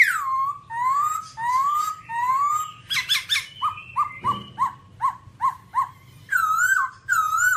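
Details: A babbler, described as all black, utters drawn-out rising nasal whistles, then a quick run of short clipped notes roughly twice a second, ending in wavering harsh calls, with a low hum throughout.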